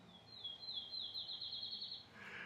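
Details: A Pine Warbler, from Lancaster, Massachusetts, sings a steady, high trill of rapid even notes lasting nearly two seconds, with faint background hiss. The trill is hard to tell from a chipping sparrow's.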